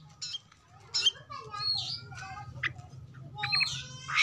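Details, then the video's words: Oriental magpie-robin singing a varied, fast run of sharp whistles and harsh, squawky notes, high-pitched and irregular, over a steady low hum. "pancingan Kacer"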